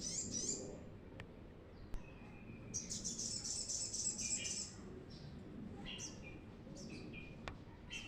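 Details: Lively brown-throated sunbird song, meant as a lure to draw in untrained birds: a high, fast, jingling trill in the middle, framed by sparse sharp chirps and short twitters.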